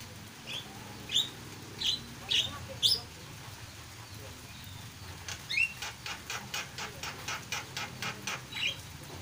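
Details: Energetic starling song opening with separate sharp whistled notes, then a quick, steady run of dry clicking pulses, about two per second, with an occasional whistle over the top.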